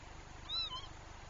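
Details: Northern lapwing, one of a pair distressed about their chick near herons, gives a single short, wheezy, arched call that rises and drops, with a faint low hum behind.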